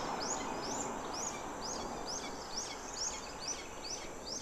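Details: Hawk at the nest feeding its chicks: thin, high, down-slurred squealing notes repeated about twice a second in a steady series over a faint constant background hiss.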